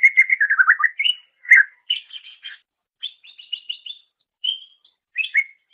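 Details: Song of a greater green leafbird, used as master material for training songbirds: an opening tumble of low warbled notes, then sharper high chirps and short trilled groups, each phrase separated by brief pauses.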